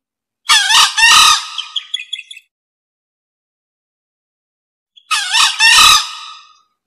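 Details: Male green junglefowl lure call: two hoarse, raspy crows about four seconds apart, each starting with clipped notes, then a drawn-out grating phrase that trails off into fading rasps.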